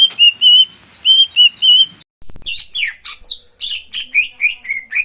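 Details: Greater green leafbird lure song meant to set a non-singing cucak ijo off: paired clear whistled notes repeated twice, a short break, then a busier string of scratchy chirps and slurred whistles.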